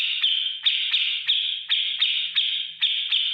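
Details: Grey-cheeked bulbul tutor song in the ngetik ngipik style for cage birds: a sustained, high, grating trill with a sharp accented tick roughly every third of a second.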